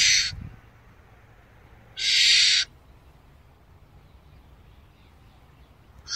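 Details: Barn owl calling with short, rasping, hiss-like screeches about two seconds apart, each lasting roughly half a second, over a faint low background rumble.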